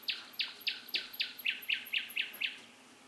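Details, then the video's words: Bird singing at night: a rapid series of about ten loud, downward-sweeping chirps, evenly repeated several times per second, the later notes lower and shorter, then fading into quiet background hiss. "Vogelgezwitscher in der Nacht"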